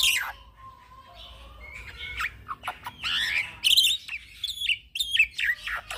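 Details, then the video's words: Young black-winged myna, kept as a training and lure bird, sings a rolling song. Drawn-out thin whistles lead into loud, harsh, squawky phrases with ringing overtones and quick slurred notes. "Suara Jalak putih Muda Gacor Ngeroll"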